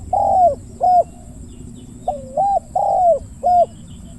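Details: Spotted dove giving deep 'ku-ang' coos during a decoy hunt in the evening. Low hooting notes in two groups separated by a pause, long slurred coos alternating with short ones, with a constant high hum behind.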